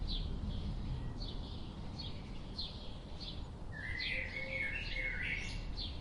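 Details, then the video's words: Birds calling, with a quick series of short high chirps repeated roughly every half second, joined later by a lower, longer warbling phrase, all over a constant low background rumble. "Birds sound"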